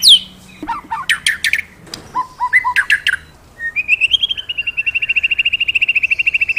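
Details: A vigorously singing magpie-robin, offered to coax kept birds into song, gives varied swooping whistles and chirps, then a long steady run of fast, evenly repeated notes.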